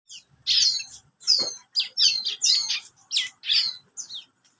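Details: Young bar-winged prinia, 30 days old, kept bird, giving a chattering song of high scratchy downslurred notes in separate bursts about every half second.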